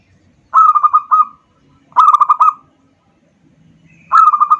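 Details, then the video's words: Three short, staccato trilled coo phrases from a local zebra dove, played as a lure to stimulate other birds. Each phrase is a quick run of bubbling notes at a steady mid pitch, separated by brief quiet gaps. "pancingan perkutut lokal"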